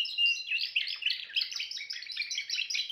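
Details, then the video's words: Short burst of Timbrado canary song: a fast, buzzy rolling trill of closely packed notes. "meilleur chant canari l chant canari timbrado"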